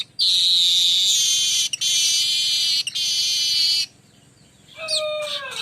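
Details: Streaked weaver song in the rolling 'besetan ngerol' style, used as a lure to attract birds: two long, harsh, sizzling buzzes broken by brief gaps, then a pause and a short falling whistled note.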